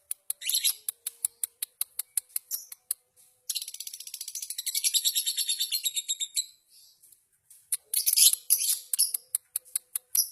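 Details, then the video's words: Duelling champion lovebirds from a subdistrict singing contest: sharp, high clicking chirps in quick series give way to a sustained, shimmering rapid trill of about three seconds, then more dense chirping and ticks. "Duel Lovebrid Gacor Juara Tingkat Kecamatan"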